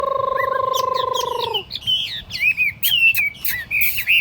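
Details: Tame caged Chinese hwamei in a portable cage set on a table, singing: a long nasal, buzzy drawn-out note for over a second, then a quick run of varied slurred whistles and sharp chips.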